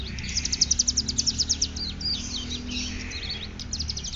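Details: Ngeriwik song of a ciblek gunung (hill prinia) from Cililin: a sharp, evenly pulsed high trill for about a second and a half, then twisting scratchy chirps and another brief trill. A faint low drone sits underneath.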